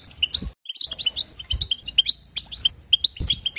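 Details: European goldfinch song used to rouse other goldfinches: bright, clipped chirps and short buzzy notes in quick bursts, a brief pause near the start, then lively twittering phrases.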